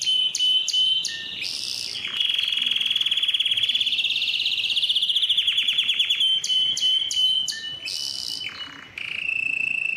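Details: Strong male canary song recorded to spur males to sing: sustained high trills shifting between fast rattling rolls and steady whistled notes, with sharp clicking bursts and brief pauses, in a clean recording without background noise.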